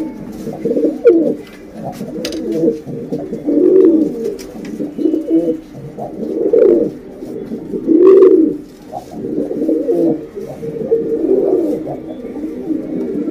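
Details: A female pigeon calls to a male with low, throaty, rolling coos in swelling bouts every two to three seconds, heard in a small, echoing room.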